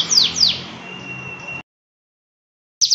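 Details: Canary in long, lively 'gacor' song, used as master recording to get other canaries singing: two quick high whistles sweeping downward, then a thin, steady held note, a short silence, and a fresh burst of rapid high trilling.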